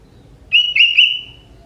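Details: A young forest sooty-headed bulbul sings a phrase that includes prinia-like elements. It gives three linked, bright whistled notes with a buzzy edge, the last one trailing off steadily. The background is quiet.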